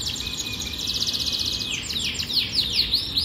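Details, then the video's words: Strong Yorkshire canary training song: a fast buzzy high roll held for over a second, then loud looping down-slurred whistles repeated about three times a second. "Most powerful Canary song | Rasmi Yorkshire canary song | best Canary training song"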